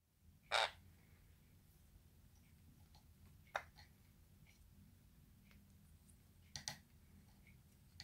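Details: Pet Jenday conure (Aratinga jandaya), kept indoors and fond of peanut butter, gives one loud harsh squawk, then two shorter rasping bursts a few seconds apart, over a low indoor hum and faint clicks.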